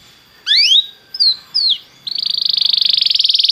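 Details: Belgian canary singing to warm up a canary: a sharp rising note, two short slurred whistles, then a fast rhythmic buzzy trill that runs to the end.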